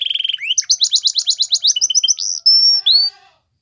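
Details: Belgian canary song used to train young canaries: a fast run of repeated rising-falling chirps building into a clear sustained whistle and a final upswept note.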